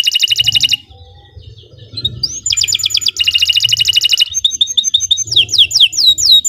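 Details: Gacor canary song used as a master recording for birds: a buzzy rattling trill, a short lull with low hum, more metallic trills, then rising and falling whistled slurs repeated quickly.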